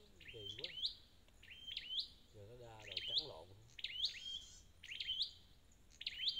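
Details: Wild-caught red-headed flowerpecker giving high flicked, upslurred chips about once a second, while a man speaks in low tones underneath in places.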